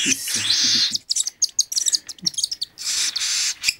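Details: Hand-fed cockatiel chick at three weeks old gives hoarse hissing rasps, broken by a stretch of short crackly bursts and sharp clicks, with soft low bumping sounds underneath.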